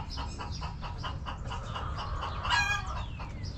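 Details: Backyard hens clucking in a steady run of short harmonic notes, followed by a louder sharp squawk and a faint descending whistle from another bird, over low background rumble.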